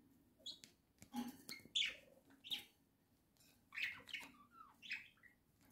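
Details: Home flock of pet budgerigars singing in October 2024, a busy run of chirps, short whistles and scratchy notes in quick irregular bursts over low room hum.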